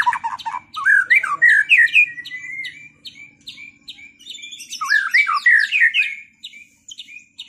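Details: Post-moult white-rumped shama duelling to regain performance: fast chattering trills and slurred whistles in two loud bursts, with a steady run of short ticking notes between them.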